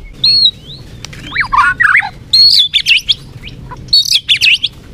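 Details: White-rumped shama (murai batu) lure song, played to spur a listless shama into fighting form: high whistled notes alternating with quick bursts of steeply rising and falling trills, delivered in short phrases separated by brief pauses.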